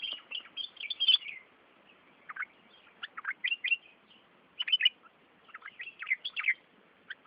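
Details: Birds bathing at a village in Devgad, giving bright, high chirps in short bursts, some clustered and some single, with brief pauses between groups and no other clear sounds.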